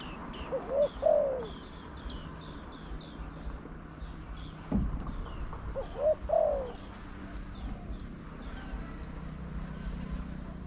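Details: Trapping-contest spotted dove giving two spaced cooing phrases, each a quick low note then a falling coo, with many thin high chirps from other birds and a sharp knock between the phrases.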